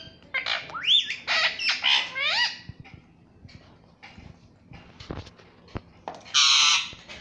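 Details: Talking pet parrot, indoors, taught "mummy papa": a burst of harsh, sweeping, voiced notes, scattered clicks, then a loud rough squawk at the end.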